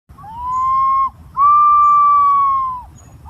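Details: Green pigeon giving two long, clear whistles, each held steady with a slight rise before dropping away at the end, separated by a short pause; background otherwise quiet.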